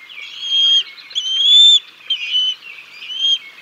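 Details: Bald eagles at the Decorah North nest on 6 May 2022 while the father feeds the chicks a fish: high, thin whistled notes, some rising and slurred, repeated about once a second with short gaps.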